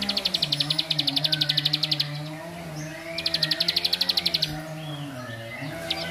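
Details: Bar-winged prinia song, described as provoking other prinias, in the rapid ngebren style: fast, high, dry clicking notes in two long bursts with a pause between, over a low steady hum.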